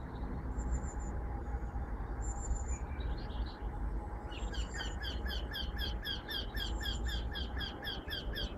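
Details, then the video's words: A Eurasian wryneck sings a fast run of nasal, ringing 'quee-quee-quee' notes, about three per second, over a low rumble and thin high calls from other birds, in Collserola Park, Barcelona, in 2012. "Canto de torcecuello"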